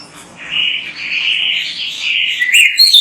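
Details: Oriental magpie-robin in full song, meant to prompt other birds of its kind to sing: one sustained, warbling whistle that swells in loudness and ends in a few sharp, high notes.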